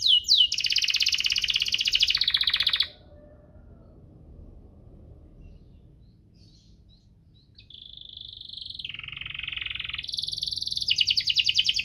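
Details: Canary in rolling song meant to encourage reluctant canaries: a loud fast trill, several seconds of near silence, then a lower buzzy phrase and a long high rapid trill.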